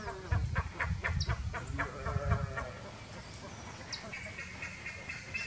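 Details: Buff-necked ibises (Theristicus caudatus) perched on a eucalyptus windbreak in Valle Edén, Tacuarembó, Uruguay give loud, nasal, honking calls in a rapid run of about four per second, then fall quieter; a thin high whistle from another bird is also heard.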